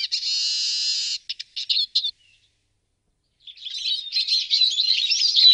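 Eurasian siskin song: a long wheezy buzz, then quick twittering notes, a pause, and a run of rapid, high, tumbling twitters.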